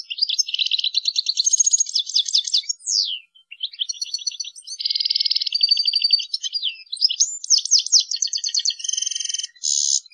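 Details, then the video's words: European goldfinch singing in the Indonesian ngrool tembak style, a masteran tutor recording: dense runs of rapid buzzy trills and twittering notes, broken by swift downslurred sweeps and short pauses, all high-pitched and clean. "burung goldfinch tipe ngrool tembak"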